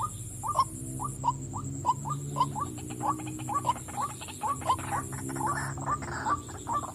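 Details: A female white-breasted waterhen calls with a series of short, nasal, upward-flicking croaks, roughly two per second, fairly soft against a constant hum and hiss.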